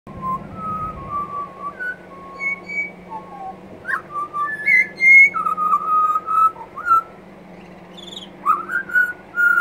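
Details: Two pied butcherbirds (Cracticus nigrogularis) sing together on a veranda in duet: rich, fluting whistles that slide up and down in varied phrases, overlapping in places, over a low hum.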